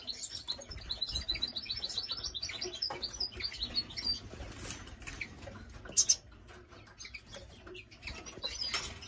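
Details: Goldfinch and female canary hybrid singing a rapid run of high, bright twittering notes for about four seconds, followed by scattered clicks and wing flutters over a low background hum.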